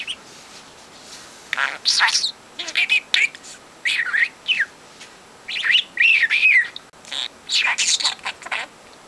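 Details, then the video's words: Young male pet budgie, four months old, that talks nonstop and copies conversations it has overheard, delivers bursts of squeaky, warbling chatter with wavering notes, broken by short quiet gaps. "The Most Talkative Bird"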